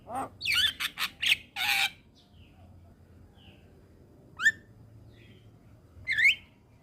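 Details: Javan myna song played as a tutor for young mynas: an opening flurry of rough, scratchy squawks, then a pause and two sharp, downward-sweeping whistled notes separated by about two seconds.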